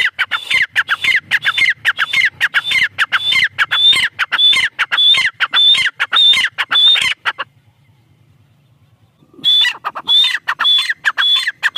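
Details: Female black francolin giving a fast run of loud, grating call notes with a high whistled onset, repeated rapidly, broken by a pause of about two seconds of near silence before the calling resumes.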